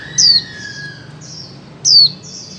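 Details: Female white-eye calling in 2024 to rouse mute birds into song: two strong high downslurred notes under two seconds apart, each followed by softer chirps, with a steady lower whistle-like tone fading out early.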